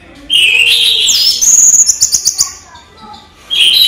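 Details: Caged orange-headed thrush singing during the day: a loud whistled phrase rising to a high sustained note, then a quick run of sharp repeated chirps, and a brief pause before another whistle starts.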